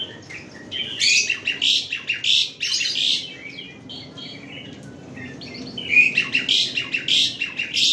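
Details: Asian pied starling, a bird known for many song variations and able to imitate human voices, sings a busy, varied run of harsh chattering and whistled notes in two dense bursts, separated by a quieter pause, in a small room.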